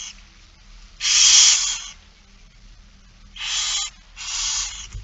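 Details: Three harsh, breathy screeches of begging barn owls at a feeding, It Fryske Gea, 8 September 2019, the first loudest and nearly a second long, the others shorter and close together.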